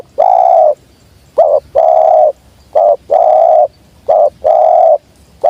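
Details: Spotted dove, tekukur, giving a steady run of short coos each followed by a longer mellow coo, about four pairs in five seconds, loud and clear as a lure for wild birds.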